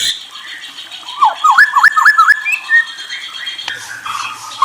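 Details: White-rumped shama giving a short run of clear whistled notes, quick rising and falling slurs repeated rapidly over about a second, set against a faint background murmur and soft room noise.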